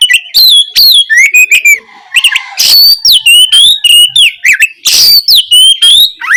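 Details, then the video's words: Oriental magpie-robin in strong song, played to provoke a non-singing bird; looping whistled notes that dip and rise, a brief low murmur, and an occasional rasping burst. "Masteran Kacer gacor ampuh memancing Kacer macet malas bunyi langsung nyaut gacor!"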